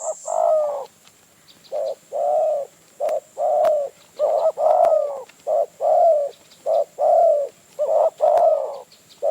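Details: Spotted dove in the wild near Phrae, Thailand, approaching a decoy bird, gives a long run of low, rounded coos, about one each second in loose groups, with a faint constant high-pitched whine behind.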